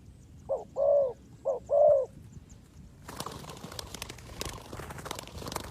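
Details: Spotted dove used as a trapping lure gives two quick pairs of mellow coos, each a brief note then a longer swelling one. The calls are followed by several seconds of loud crackling, rustling noise.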